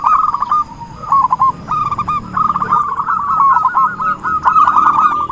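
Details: Zebra dove used as a trapping lure: choppy phrases of quick, bubbling coos, short at first, then joined into a long rolling run, over a steady faint high-pitched tone and scattered clicks.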